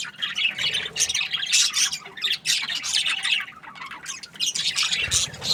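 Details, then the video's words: Budgerigars chirping in breeding season: shifting clusters of squeaky, buzzy high notes from several birds, rising and falling in loudness. "Happy budgies chirping sounds | breeding season"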